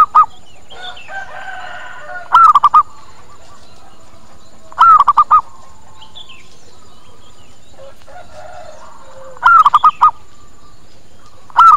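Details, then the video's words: Zebra dove lure call used to attract wild doves: a loud cooing phrase of one long rising-falling note followed by quick short coos, given four times with soft other bird notes between phrases. "Suara PIKAT PERKUTUT Cepat Pada Datang dan Nyaut"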